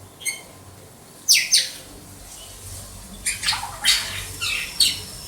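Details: White-rumped shama, Banda Aceh, giving short bursts: broad buzzy high notes and sweeping downward slurs in separated phrases, with quiet pauses between and a faint background hum.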